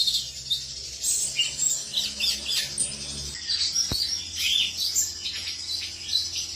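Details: Song of a male cucak cungkok: quick high chirps and twittering phrases in uneven bursts, one sharp click midway, with a steady low hum in the background.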